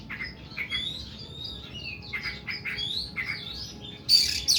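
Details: Oriental magpie-robin (kacer) delivering long, harsh 'nembak' song: a fast run of short whistled and chattering notes, ending in a loud, rough, buzzy burst.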